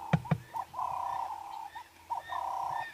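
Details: A ring-necked dove perched up in a tree coos on a sunrise safari on 19 August 2016, throat puffing as it calls: a short note, then a long, steady, mid-pitched hum, given twice, after two sharp knocks.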